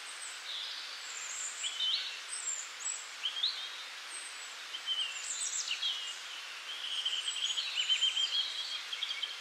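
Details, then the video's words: Wild birds chirping in springtime: short bright chirps and quick rising notes scattered across about nine seconds from several overlapping callers, with a rapid trill near the end, over a steady soft hiss of outdoor ambience. "Nature Sounds of Birds In Springtime"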